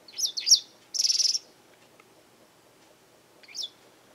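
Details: A Japanese wagtail calling often in a garden gives sharp, high chirps: two quick notes, a harsh buzzy rattle, then after a pause a thin chirp; the caller may be demanding, threatening others, or claiming territory.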